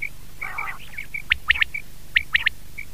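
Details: Batair, the common quail, recorded in 2019: two sharp triple-note bursts stand out among short whistled tonal notes and a brief nasal call, over a low hum.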